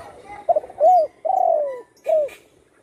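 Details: Spotted dove recovering at home from a broken wing caused by a shot, in full voice. Quick double-note opening, rounded coo, a longer sliding coo dropping in pitch, then one brief final coo.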